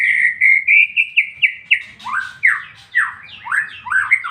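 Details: Ngeplong-style song of a white-rumped shama. It opens with a steady series of short, even whistles that climb slightly in pitch, then breaks into loud, swooping downslurred phrases repeated in quick succession.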